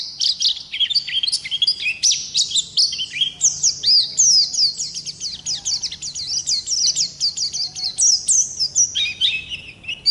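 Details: A ngalas-type Oriental white-eye delivering a long continuous ngerol song for masteran use: ten seconds of nonstop high chattering and swooping whistled notes, tightly packed, with a faint low hum underneath.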